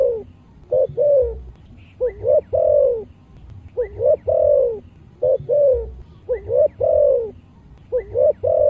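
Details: Spotted dove of a rural Vietnamese strain valued for deep earthy voice, singing a full phrase: low hollow coos in repeating groups of three, a short note, a rising note, then a long drawn coo, phrases about every two seconds, faint background hum.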